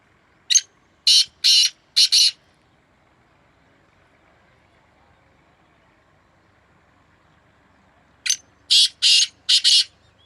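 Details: Two black francolins in a hard-fought calling contest. A harsh, grating phrase of five rasping notes, ending in a doubled note, sounds at the start. A long silence follows, then the same five-note phrase answers near the end over a quiet background.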